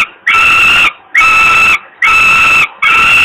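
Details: Falcon chick in Włocławek, Poland, crying from hunger on a May 2022 evening as its father arrives with food. Four loud, rasping, even wails of about 0.6 seconds each come at a steady rhythm with short silent gaps.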